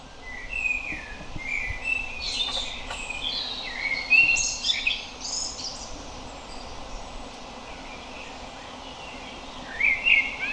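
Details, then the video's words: Common blackbird (Turdus merula) singing: mellow whistled phrases around mid pitch, then higher squeaky twittering flourishes. Phrases come in bursts through the clip, with a steady background hiss. "Common Blackbird (Turdus merula) - Melodic Calls"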